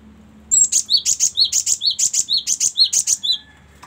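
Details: Song of a Cinereous tit, offered as a varied tutor recording for training other songbirds: a bright, rhythmic string of piercing high notes paired with lower downslurred whistles, over a faint low hum in the background.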